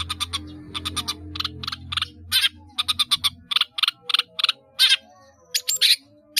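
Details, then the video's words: Caged cendet, or long-tailed shrike, from Indonesia giving a 'gacor' song packed with fill-ins (isian) for training birds: a fast series of short rasping pulses, roughly three per second, with a low hum early on. "CENDET GACOR ISIAN BANYAK"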